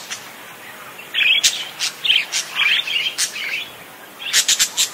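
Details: Parakeet singing actively: a string of short scratchy warbled chirps follows a quiet start, ending in quick sharp clicking notes.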